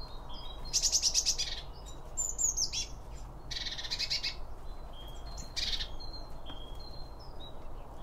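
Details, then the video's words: Birds at a feeder, recorded with two microphones next to the feed: loud rapid twittering bursts, buzzy and trilled, alternating with sparse short high chirps, against a soft low background hum. "BIRD FEEDING SOUNDS"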